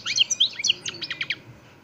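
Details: Short burst of goldfinch song from an Extremadura Parva de Montijo bird: a few sharp high notes followed by a rapid run of twittering syllables.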